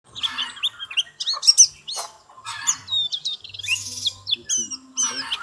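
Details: White-eye singing: a busy jumble of high, thin chirps, quick upslurred whistles and short twittering phrases, with faint low sounds underneath.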